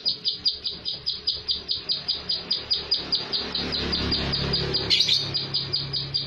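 Plain prinia giving a fast, even run of high, sharp notes, about five a second, over a low background rumble that swells near the end.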